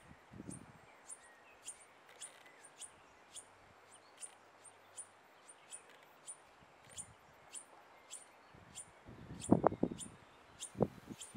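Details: A New Zealand bellbird (korimako) fledgling gives thin, very high chirps, repeated about twice a second. Rustling and low thumps break in near the end.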